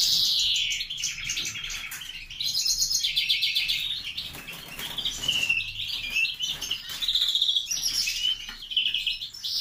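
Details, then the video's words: Grey-wing mutation greenfinch bred in captivity delivers a continuous, lively song of rolling trills, rapid twitters and clear slurred notes, some phrases dipping lower before climbing again, with no other sounds. "Verderón ala gris"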